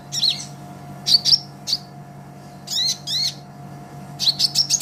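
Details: Sunbird (Konin, green type) in a master song for teaching songbirds, delivering clusters of sharp, high, slurred chirps in uneven groups with short gaps, over low steady hum.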